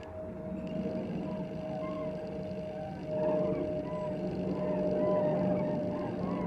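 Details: Many common cranes call overhead as they pass over a garden, in rolling, trumpeting notes, several birds overlapping about three times a second, over a steady low hum.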